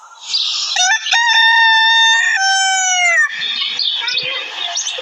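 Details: A competing desi rooster lets out a strong crow of roughly two and a half seconds, steady then sagging at the close, followed by hissy, crowded background noise with faint distant calls.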